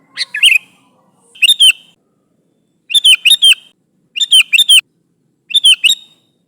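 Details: Repeated bubbly, cheerful phrases from a sooty-headed bulbul calling its companions, each of three to four quick liquid notes, coming about every one to one and a half seconds.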